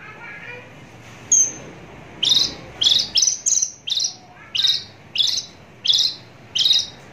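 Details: Javan bush lark, close-up recording: a string of short bright chirps, each a quick high burst repeated roughly every three-quarters of a second after a single thin opening note, over a quiet background.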